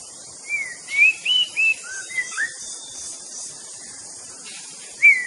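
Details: White-rumped shama producing a series of clear, slurred whistles, some rising, some falling, spaced about a quarter-second apart, then a pause and one more bright note, with steady hiss behind.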